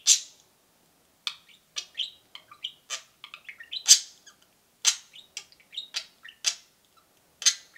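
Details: Two pet parakeets (budgerigars) indoors keep up a busy chatter of high, scratchy chirps and short whistled peeps, with loud sharp cheeps recurring every second or so.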